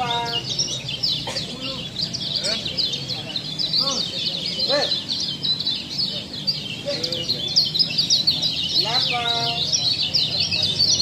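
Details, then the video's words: Training recording of a Lombok kecial: unbroken high-pitched twittering song, very rapid and busy, with a few brief lower downward-sweeping calls and low background hum. "masteran kecial lombok"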